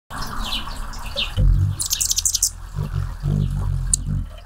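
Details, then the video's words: Hummingbirds flying around and drinking nectar, recorded close to the microphone: thin, very high chips and squeaky twitters in scattered bursts over a low, steady whirr and dull thumping. "Hummingbird Sounds"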